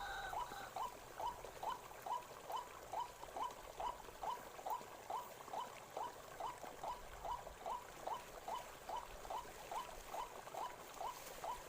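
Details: White-breasted waterhen in a forest that had not been visited for a long time. A short hooked note is repeated fast and very steadily, about two per second, against soft forest hiss.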